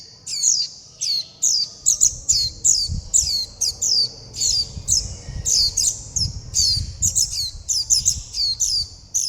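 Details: Young Warbling white-eyes clamour for food and call their mother and flock: more than twenty shrill, descending high chips in dense clusters, with some soft low thumps in the background.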